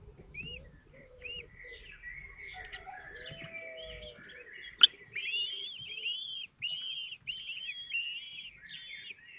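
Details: Common kestrels at a nest in Théding on 19 May 2024, as the fifth chick cracks its shell while siblings are fed; dense high, thin chirping calls, many rising or slurred, overlapping continuously, with one sharp click midway.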